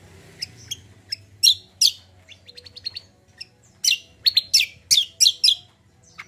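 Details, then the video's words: Common iora singing lively as therapy for untrained birds: scattered chirps and short whistled tones, then a loud quick run of harsh high chirps near the end. "BURUNG KACIAL KOMBO GACOR"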